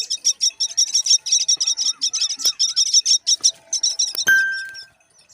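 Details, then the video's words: Common myna parent feeding one chick while another waits: rapid, insistent high chirps repeated about three times per second, followed by a sharp click and a brief electronic tone. "Indian Myna feeding one baby and the other one is waiting"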